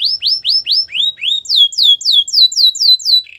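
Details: Canary singing, played so a quiet canary will start again: evenly repeated falling whistles, then a higher run of quick descending swoops, closing with a short buzzy note.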